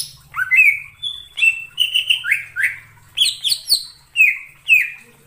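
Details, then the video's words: Greater green leafbird singing in the wild forest: a varied medley of whistled slurs, some falling and some rising, with brief buzzy, high-pitched bursts and steady loud notes spaced irregularly. "suara cucak ijo di alam liar_ijo hutan"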